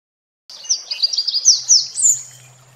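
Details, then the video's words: Red warbler gives a quick, high twittering phrase of sharp chips and trills that rises at the end, over a faint low hum. "Kırmızı Ötleğen Kuşu Ötüşü"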